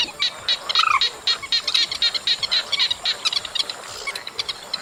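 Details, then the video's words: A rapid, fairly even train of sharp high chips, roughly four per second, from chestnut munias recorded in August, broken early by one drawn-out bending note, with a thin steady hum in the background. "Tiếng Trích Ré Track 3+B Tháng 8"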